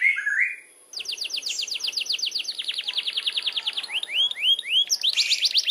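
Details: Canary delivering long rolling (ngerol) song: a brief low warble, a pause, then a long fast run of downswept notes, several rising whistles and a closing high trill.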